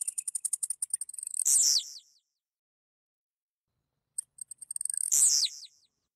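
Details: Song of the blue-black grassquit from central-west Goiás, Brazil, given twice: a rapid train of thin, high ticks that accelerates and climaxes in a strident buzzy note falling in pitch.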